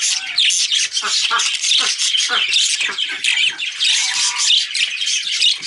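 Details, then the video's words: Budgerigar breeding pair chattering steadily, with a dense run of scratchy, squawking and warbled notes that overlap without pause, plus brief lower harsh squawks near the start and around the middle. "Budgie/Parakeet Breeding Pair"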